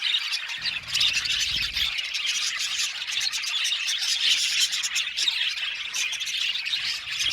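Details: Budgerigars in an aviary colony keeping up a steady, high, twittering chorus of overlapping chirps and squeaks, a short low rumble near the start.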